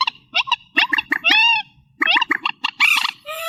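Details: Reed warbler song, amplified: clusters of harsh, clipped notes alternating with longer arched, slurred syllables. Short pauses separate the phrases, and a buzzy rasp closes the sequence.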